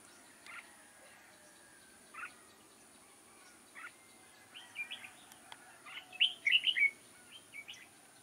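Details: Red-whiskered bulbul used as a decoy bird for trapping, recorded on 6 October 2018: short, bright warbled phrases at scattered intervals, building to a louder burst of quick chirruping notes near the end, over a faint steady hiss.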